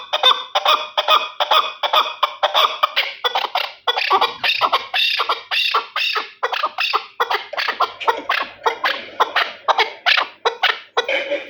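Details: Long, even series of loud chuk notes from a Terali chukar partridge, named the best partridge, repeated at a brisk, regular pace for over ten seconds.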